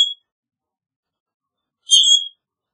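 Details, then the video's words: A single shrill, squeaky creak from a common grackle, lasting under half a second after a brief clipped note at the start. "Common Grackle Song! Common Grackle call! Common Grackle - Zanate Norteño Canto - Quiscalus Quiscula"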